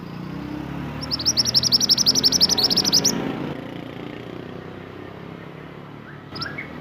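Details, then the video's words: Pied bushchat, native to Indonesia, in lively song used for training caged songbirds: a two-second run of rapid, evenly spaced high chips, then a faint note or two, with passing vehicle rumble underneath. "BURUNG MANTENAN GACOR UNTUK MASTERAN"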